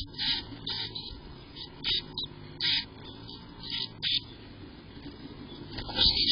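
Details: Chickadee nest in May 2023, where five chicks remain after a sixth disappeared: a run of short, high, scratchy chirp bursts repeated roughly every half to one second, evenly spaced, over a quiet low hum.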